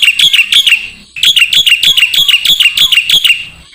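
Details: Black-winged starling song as a training recording for songbirds: quick sharp chirps repeated several times a second, broken by a brief gap, then a longer steady string of the same ringing notes.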